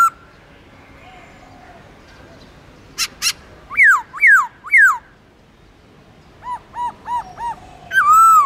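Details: Black-throated laughingthrush in forest-style song meant to stir newly caught birds: sharp clicks, three loud descending whistled notes, then a string of soft arched notes and a final loud falling whistle.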